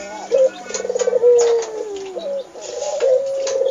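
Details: Barbary dove kept as a household pet, calling actively: a brief low coo, then a longer purring, rolling coo with a gliding tail. Sharp clicks and taps are heard in a small indoor room.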